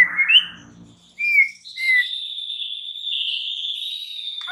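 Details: White-rumped shama song used as a lure to stir up other shamas: short whistled slurs near the start, then a long, steady, high whistled tone lasting several seconds, with faint low rumbling early on.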